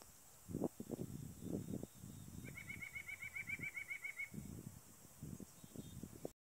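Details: Male white-breasted nuthatch singing in Wetaskiwin's By-the-Lake Park: a quick steady string of nasal, evenly spaced notes running for about two seconds, with heavy low thumps and rustling from nearby movement throughout.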